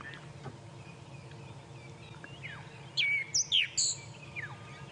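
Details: A Groundscraper thrush, off the ground, calls during a sunrise safari drive around 5 AM on 2 November 2016 in a South African game reserve. It gives a short burst of bright, high whistled and chattering notes, with fainter bird calls and a low hum.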